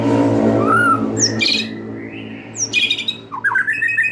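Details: White-rumped shama song for luring young wild birds into full singing: a slurred whistle over a steady low hum, then high sharp notes and a fast run of jumbled chirps.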